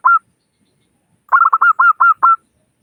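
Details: Lure recording of a local zebra dove: one lone ringing note, a pause, then a fast stuttering burst of clear hooked notes that slows into three or four evenly spaced coos.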